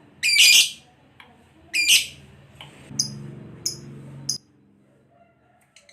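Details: Lovebird kept as a pet bird for daily training, giving two loud, harsh squawking calls about a second and a half apart, followed by several short, sharp high ticks, with a faint low hum beneath.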